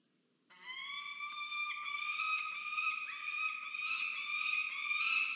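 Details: Peregrine falcon visiting the nest at Charles Sturt University, Orange, New South Wales, Australia, on 10 January 2024: a loud, harsh, drawn-out wailing call sustained for about five seconds, rich in overtones and slightly rising, with little background noise.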